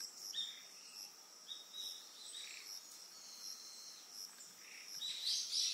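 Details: Eastern yellow wagtail on Amami Oshima, Japan, giving short, high, thin chirps scattered through, with a louder burst near the end over a steady high insect hum.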